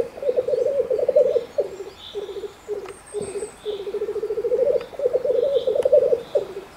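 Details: A male black grouse displaying in spring in an enclosure of the Bavarian Forest National Park near Neuschönau gives a low, bubbling, dove-like rookooing in long continuous phrases, with short breaks and a faint whoosh or hiss now and then.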